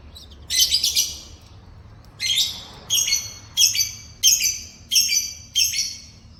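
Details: Morning song of a yellow canary: seven harsh, buzzy high phrases, the first longer, then a steady run of shorter ones spaced about two-thirds of a second apart.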